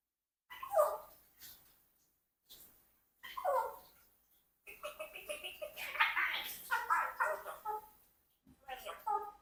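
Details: A 4-year-old Congo African grey parrot, kept in a household flock, mimics human speech in short, voice-like bursts with scratchy, nasal tones, broken by brief pauses, then a longer chattering run.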